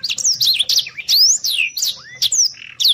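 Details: Rapid gacor song of a Black-throated Canary for training contest birds: tumbling high whistles, long upward sweeps and a lower falling slur, delivered in brisk bursts with brief gaps, over a faint low hum.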